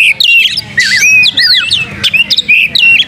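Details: Oriental magpie-robin (kacer) singing hard with open tail as a lure: dense sequence of bright slurred whistles, buzzy fragments and sharp chips, nearly continuous, with low hum underneath.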